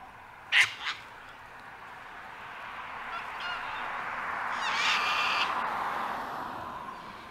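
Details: Sulphur-crested cockatoos on Mt Coot-tha in Brisbane, Queensland, 6 November 2022, recorded with a Canon R7: one loud grating screech with a quick echoing second note early on, followed by rising broadband rustle and background noise.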